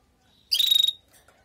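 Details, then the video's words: Female canary calling to prepare and stimulate the male after moulting: a single loud, harsh chirp about half a second long, rapidly pulsed and buzzy, with a high whistled tone at its core, then near silence. "نداء انثى الكناري لتجهيز وتحفيز ذكر الكناري بعد غيار الريش"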